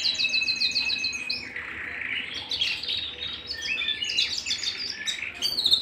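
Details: Canary singing at home, opening with a fast evenly pulsed trill of repeated notes, then breaking into varied chattering, swooping phrases and rapid high chips.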